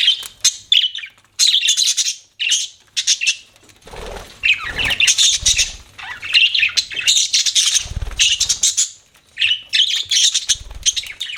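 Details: Several budgies chattering in choppy, raspy bursts of warbled chirps, with low soft thumps from movement in between.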